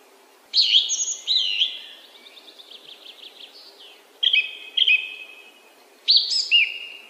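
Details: Song thrush singing loud, clear phrases: a high whistled opening, a long trilled run, then short phrases each given twice, with quiet pauses between.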